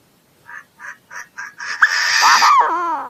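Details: Chinese francolin calling: a run of four short, evenly spaced grating notes, then a loud harsh, buzzy burst ending in a falling, drawn-out note.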